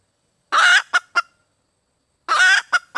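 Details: Female red junglefowl calling for a mate with two harsh cackling phrases, each a broad rasping note followed by two quick clipped clucks, spaced nearly two seconds apart.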